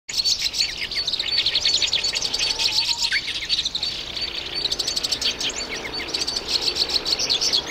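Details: Black-browed reed warbler singing: a fast, continuous chatter of dense high clicking and buzzy notes with short trills, steady throughout, plus a faint low whistle near the middle.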